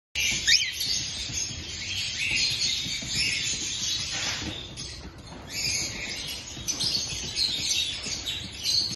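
A cockatiel chatters with a steady stream of high, scratchy chirps and short whistled notes.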